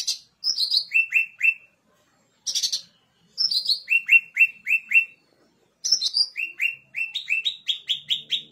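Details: Blue-winged leafbird, locally cucak ranting, a very active singer whose song is used as a lure to prompt stalled leafbirds to sing: bursts of high chirps, then runs of three to eight down-slurred whistled notes repeated rapidly, separated by short pauses.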